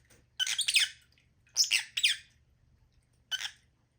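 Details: Lovebird calling in short harsh chattering bursts, mostly high-pitched and buzzy, in three groups over four seconds with quiet gaps between.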